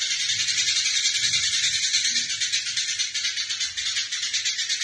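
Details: Eurasian tree sparrow in a fight, used to train other songbirds: nonstop harsh, buzzy chattering throughout, pulsing in a rapid, slightly uneven rhythm.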